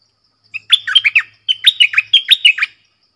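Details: , Red-whiskered bulbul lure song in the 'double song' style, clear and pleasant: two rapid runs of five to six bright, bouncing, slurred whistles, given back to back with a short gap and no background noise.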